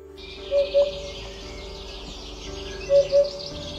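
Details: Eurasian Hoopoe, a bird that forages on the ground near riverbanks and farmland, calling softly: two paired low hollow "hoop-po" notes, repeated once after a pause, over steady background music.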